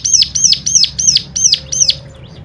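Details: Bird song used to provoke other cigun into singing, a run of six bright high arched notes about three per second, fading into quiet at the end.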